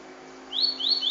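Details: Double-collared seedeater giving a short sequence of three clear rising whistled notes, high-pitched, over faint background hum.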